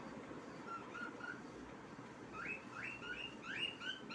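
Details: A pet cockatiel sings a string of short, clear whistled notes, some rising and some falling.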